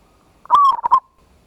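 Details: Local zebra dove with a big voice, ngayer kerot nutut lure song intended to provoke a response. A single short phrase of one sustained coo breaks into two quick pulsed notes.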